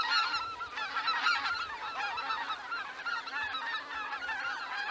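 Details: A large flock of greater white-fronted geese departing the roost at Miyajima-numa, 2023; continuous overlapping nasal yelps and honks from many birds, steady busy chorus throughout.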